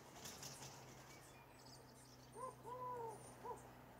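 European turtle dove giving three short, soft, low arched cooing notes near the end, after a burst of flapping wings and a faint background hiss.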